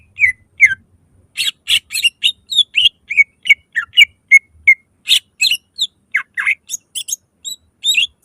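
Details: Greater green leafbird, a kept songbird used to lure other leafbirds into singing: loud varied song of clear whistles, slurred rising and falling notes and harsh buzzy bursts, fast and irregular, with mimicked fragments.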